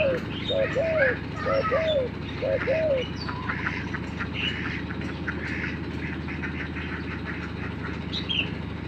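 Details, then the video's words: Spotted dove kept as a lure bird, set against a newly trained bird; four short, low, slightly arched cooing notes in the first three seconds, then steady background hum with scattered faint chirps. "TEKUKUR PIKAT VS TEKUKUR AJARAN BARU"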